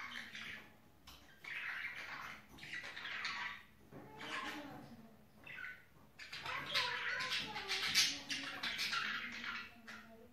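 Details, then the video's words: Budgerigars in mating season, indoors: dense warbling chatter of rapid buzzy, scratchy bursts and short squeaks, with brief quieter pauses and a faint low voice-like murmur underneath. "Muhabbet Kusu ciftlesme Zamani"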